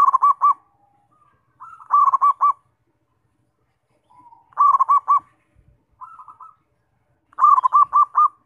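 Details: Zebra dove song used to provoke other doves into singing: bursts of rapid, trilled coos at a mid pitch, each phrase about a second long, returning every few seconds with softer, lower notes between phrases.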